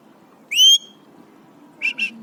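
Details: Pet Alexandrine parakeet, three years old, happy and excited, gives one clear loud whistle with a slight downward slide, then two quick shorter squeaky notes after a pause.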